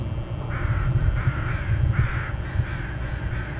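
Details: Eagle at a Hornby Island nest, nest-camera recording: a quick series of about six harsh, chattering notes running together like a trill, with a heavy low rumble underneath throughout.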